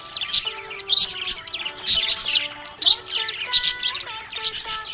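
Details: A happy budgerigar twittering in bright high bursts, clusters of sharp chirps every second or so, accompanied by background music with stepping melodic tones.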